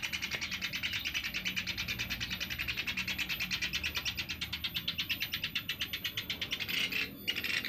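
A Sunda pygmy woodpecker gives a high, dry, buzzy trill of rapid notes, about eight or nine per second, running on steadily with a brief break near the end.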